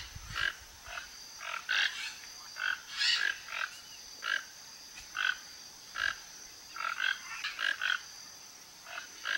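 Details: Toco toucans foraging as a flock around a backyard in Brazil, seeking fruit; a series of short raspy croaking calls at uneven intervals, with a continuous high insect whine behind.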